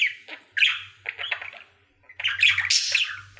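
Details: Male pet budgerigar in his daily singing routine: bursts of scratchy chatter and squeaky chirps broken by short pauses, ending in a loud rush of harsh high notes over a faint low hum.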